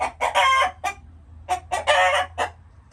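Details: Chickens clucking: short broad clucks alternate with two longer, harsher squawks, each about half a second, with quiet gaps between bursts over three seconds.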